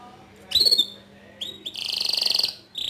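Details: Tutor song for young and untrained canaries from a bottle-green canary: a short high chirp, a pause, then a quick rattling trill of repeated high notes about a second long.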